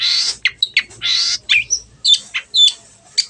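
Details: Brief burst of Long-tailed shrike song played as a lure to make birds sing: loud harsh rasps mixed with sharp whistled notes in an irregular quick sequence.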